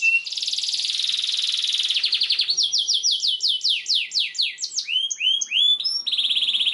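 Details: Long continuous canary song meant to teach young canaries: a dense rattling trill gives way to a series of quick downslurred chirps, then upswept notes and a closing buzzy roll.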